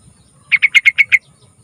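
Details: Yellow-vented bulbul, lively song for luring young birds: six quick, evenly spaced bright chirps in under a second, then quiet with a faint high hiss.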